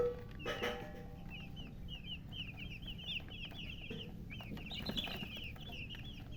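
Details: Loud peeping of newly hatched chicks: steady runs of high, short, down-curving chirps from several birds, a brief harsher burst near the start, with low hum and faint knocks.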